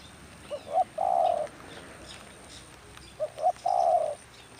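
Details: Trapping session in rainy weather with a decoy spotted dove calling twice, about three seconds apart; each phrase is two brief coos and then a drawn-out low purring coo.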